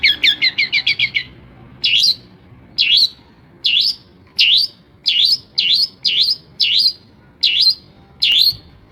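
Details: Long-tailed shrike of the Madura type, described as mimicking many other birds such as sparrows and prinias. A quick burst of about eight chattering notes is followed by eleven sharp, high, up-and-down whistled notes spaced roughly every 0.7 seconds.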